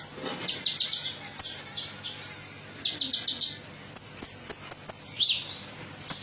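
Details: Lure recording of a konin metalik singing to draw song from other birds: quick bright trills and piercing high chirps tumbling in short bursts, some notes sliding downward near the end.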